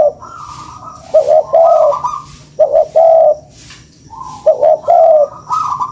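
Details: Spotted dove lure call: rhythmic cooing in paired phrases, a short stuttering note then a sustained mellow coo, with higher faint coos between, over low hiss.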